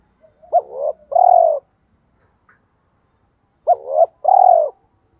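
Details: Stimulating coos of spotted doves, male and female, to make reluctant newly caught birds answer: two identical phrases about three and a half seconds apart, each a quick accent note, a rising coo and a long low coo.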